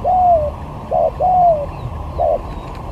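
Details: Spotted dove lure bird in a song skill contest, sigagap to jergot styles: two long, gently falling coos alternating with short clipped notes, clear and unhurried against a low hum.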